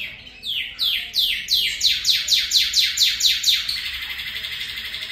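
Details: Northern cardinal singing in imitation of a canary's song: about a dozen clear whistled notes, each sliding steeply downward, repeated roughly twice per second, then a sustained rolling trill at the end; quiet background.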